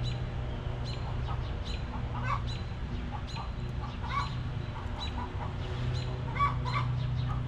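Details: Back yard chickens in a cozy coop, hens clucking: brief knocking clucks come every fraction of a second from more than one bird, with a constant low droning hum underneath.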